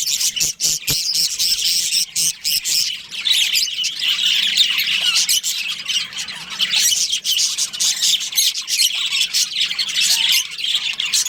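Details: Budgerigars, a breeding pair within a colony, keep up a thick, overlapping stream of shrill chirps, squawks and chatter, with several sharp clicks early on.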